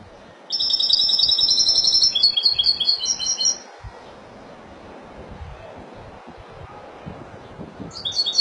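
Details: A European goldfinch of Spanish type, linked to Málaga, delivers a fast three-second burst of high, liquid trilled notes in stepped segments, followed by several seconds of quiet hum before a new phrase begins.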